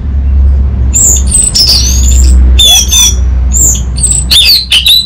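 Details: Orange-headed thrush giving high, thin squeaky notes and short sliding whistles in uneven bursts, against a steady low droning hum.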